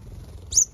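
A New Holland honeyeater gives a single sharp, high-pitched chip, with the start of a second note cut off at the end; faint low background rumble.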